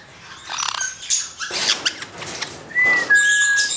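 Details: Hand-reared male black-headed caique producing scratchy squawks followed by two clear, level whistled notes near the end, with a soft rustle like wing flapping early on.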